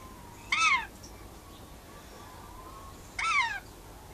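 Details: On a verandah during outside time, a pet rainbow lorikeet calls to nearby wild birds with two loud, grating, downward-bending screeches about two and a half seconds apart, quiet between them.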